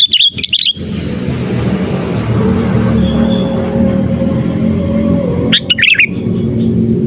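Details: Sooty-headed bulbul, a kept bird used as a lure for trapping, calling lively: short bubbly chirp bursts at the start and again near six seconds, separated by a long stretch of steady low hum.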